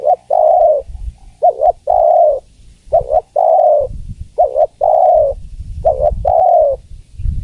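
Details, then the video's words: Female spotted dove calling to a male, cooing steadily: repeated phrases of a short double note and a long slightly falling coo, about four in seven seconds, over low rumbling background noise. "Suara Tekukur Betina Memanggil Jantan"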